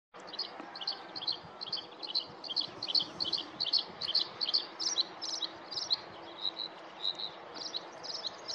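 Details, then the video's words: Bluethroat singing a fast, varied string of high, ringing chirps and twitters, two or three notes a second, over a steady background hiss. "Blaukehlchen Gesang, Bluethroat is singing"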